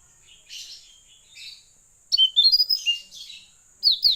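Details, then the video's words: Blue-eared kingfisher, called tledekan laut, singing briskly: soft warbled notes, then a burst of sharp, high, rising and falling whistles and twitters in quick sequence, ending with a loud high chirp pair. "Burung tledekan laut gacor nih"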